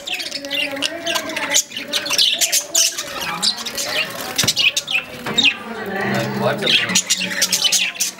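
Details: A pair of lovebirds chatter with shrill, high chirps and squawks in a rapid, overlapping stream, with a low murmur like a voice underneath.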